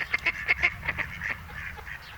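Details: Two male mallards court a female during the breeding season at the Malecón de San Lázaro, Noia, Ría de Noia, giving quick repeated nasal notes, about five sharp bursts in the first second, then fading calls.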